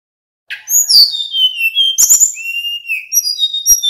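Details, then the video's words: Male little pied flycatcher singing in the 'nyeklek' style, played as a lure to make other birds answer: high thin whistles, some rising and some falling, then a long steady whistled note and brisk chirpy phrases. "Suara Sikatan Bambu Jantan NYEKLEK"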